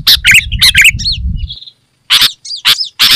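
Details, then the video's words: Sooty-headed bulbul: rapid rasping chirps with bubbly whistles, a soft trailing whistle, a brief silence, then more loud chirps and looping whistled notes. "Suara Burung KUTILANG GACOR Suara Asli Rapat dan Lantang"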